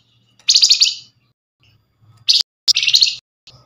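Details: Flamboyan calling as bait so that others reply. Two harsh, rattling chatter bursts of about half a second, the second one preceded by a sharp short note, over near silence.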